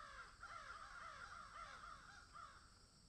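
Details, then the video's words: Several crows in a field call together, harsh overlapping caws tumbling one after another in a steady, busy stream with no pause. "crows caw in field"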